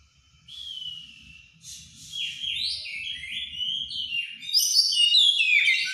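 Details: White-rumped shama in over-strong breeding condition singing in the plain loud ngeplong style: rich whistled phrases rising and falling, growing louder and denser towards the end, with faint low rumbling beneath.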